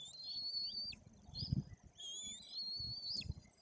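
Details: White-tailed eagle chicks about three weeks old, fed at the nest by both parents in Bory Tucholskie, Poland; two long thin whistles ending in sharp downward slurs, with soft low rustling and thuds between.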